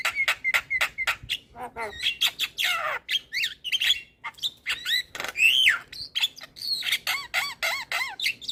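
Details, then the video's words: Varied black-winged myna song meant for tutoring and coaxing silent mynas: clear rising and falling whistles mixed with rasping chatter and sharp clicks, delivered rapidly and continuously. "Kicauan Burung Jalak Kebo Full Isian pas Untuk Masteran dan Pancingan Jalak Malas Bunyi"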